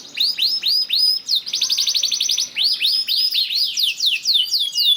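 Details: Canary lure song meant to set other canaries singing, with arched sweeping notes repeated several times a second, a dense buzzy trill in the middle, then more looping rising-falling phrases.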